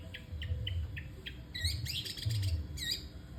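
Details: Long-tailed shrike singing without pause: sharp, high whistled and chirping notes, first spaced singly, then a dense tumbling jumble of varied squeaky phrases, over a deep background hum.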